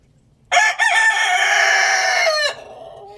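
A rooster crows once, a loud harsh call lasting two seconds that opens with a short choppy note, holds steady, then drops away; quiet background after.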